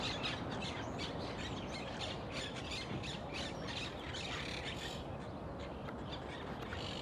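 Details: A Crested myna, one of several perched birds, gives harsh, squawking chatter in quick, irregular bursts over steady broadband noise, beside the Quequén River path, Necochea, Buenos Aires Province, 13 July 2021.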